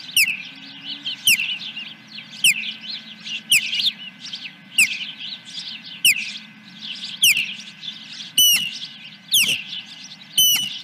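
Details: Osprey at the nest at Dunrovin Ranch, morning of 10 July 2021: a repeated series of strong, falling whistled cries roughly once a second, some doubled near the end, over continuous soft high chirps.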